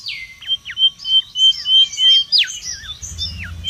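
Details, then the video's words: Wild mangrove whistler singing, used as a lure and tutor: a long falling whistle, then clear level notes each broken by a quick downward slur, roughly three a second, with low rumble at the end. "SUARA PIKAT DAN MASTERAN BURUNG KANCILAN BAKAU RIBUT DI ALAM LIAR"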